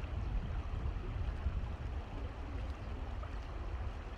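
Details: Low, continuous rumble of lapping water and wind, without any audible bird calls.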